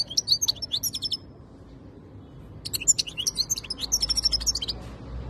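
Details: European goldfinch song in two bursts of rapid, tinkling high twitters and trills, separated by a brief pause of about two seconds, over a quiet low background hum.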